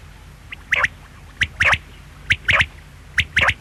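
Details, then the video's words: Four evenly spaced quail phrases, each a short lead note followed by a rapid doubled note, sharp and high, repeating about every 0.9 seconds over a light low hum. "Quail sound|Batair ki awaz|bedana ovozi|бөдөнө үнү|перепелиный звук|بٹیر کی آواز"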